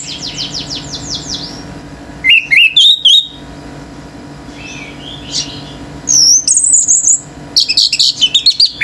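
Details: Orange-headed thrush, a male, in nonstop 'gacor teler' song that stirs up other birds: a rapid series of descending whistled notes, then looping high whistles and buzzy bursts in separate phrases with brief gaps.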